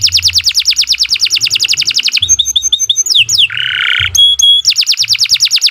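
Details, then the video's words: Canary singing long, continuous master song used to train young birds: fast rows of bright repeated trills, varied with ringing whistled notes and a buzzy rolled phrase, then trills resume; faint low hum beneath. "Kicau Burung Kenari 90 II GACOR PANJANG Cocok untuk Masteran"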